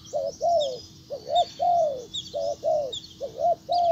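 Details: A spotted dove kept as a decoy calls to attract a wild bird. Hollow, low coos alternate between a quick two-note coo and a longer arched coo. Light high-pitched bird chirps run above.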